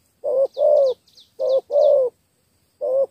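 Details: Spotted dove from Cà Mau giving a 'thổ 3 âm' three-note coo: two mellow short-long pairs, then a third short note begins, with soft high chirps of a small bird between.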